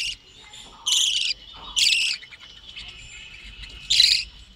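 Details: Budgerigars in a breeding colony: three loud bursts of bright, buzzy chatter about a second apart, separated by quieter warbling.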